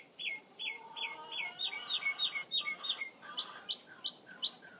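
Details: Mockingbird singing rapid repeated phrases: a series of downslurred whistles, then sharper high notes, each type given several times in quick succession before the bird switches to a new phrase.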